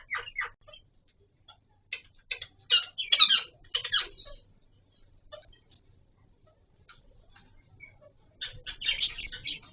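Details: Green ringneck parakeet, a pet bird at the start of the breeding season during mating time, giving harsh, raspy squawks in short clustered bursts with quiet gaps between them, ending with a louder run of scratchy notes.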